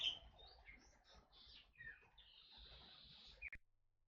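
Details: Forest oriole, known locally as kepodang hutan, kept as a lure for songbirds; high whistled and slurred notes, some falling and some sustained, ending abruptly after three and a half seconds.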